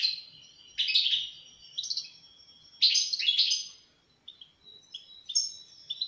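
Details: European goldfinch singing: bursts of bright, tinkling twitters and buzzy chirps in quick clusters, separated by short pauses, ending in thinner high notes, with no other clear sounds.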